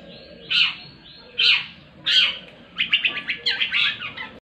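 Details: Long-tailed shrike in lively song at a competition track in Indonesia: three loud, harsh, rasping notes spaced about a second apart, then a fast chattering burst of scratchy notes.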